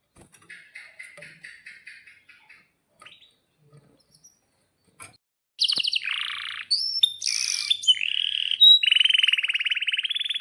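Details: Canary song meant to get other canaries singing: soft faint chirping for the first half, then loud sudden whistles, buzzy bursts and a long rapid rolling trill.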